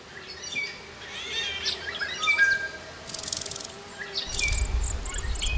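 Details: Black-naped orioles rearing nestlings in deep summer rainy season: short whistled and chirping notes, some sliding down in pitch, in scattered bursts, with brief rustling and a low rumble underneath.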